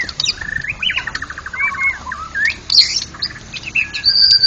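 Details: White-rumped shama, a national contest champion, singing in the ngeplong style: a fast trilled series of whistled notes, then sharp high squeaks and a clear, sustained upper whistle.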